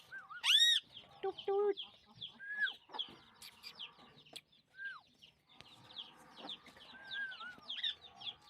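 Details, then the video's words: Max, a talking rose-ringed parakeet said to speak Sindhi, chatters in quick, varied bursts of squawks and speech-like phrases, opening with a loud harsh screech, with many small chirps and squeaks throughout. "Max Talking Parrot || MaxTalking In Clear Voice In Sindhi"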